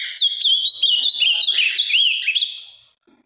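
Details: Firm-voiced ultramarine grosbeak from Minas Gerais, large and deep blue, delivers nearly three seconds of loud, fast, tumbling whistled warbles that fade out at the end.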